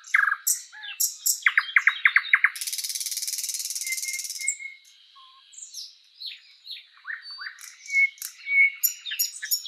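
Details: Thrush nightingale song in spring forest, with a quick series of clicks, a long continuous rattle, then quieter soft whistles and scattered chirps.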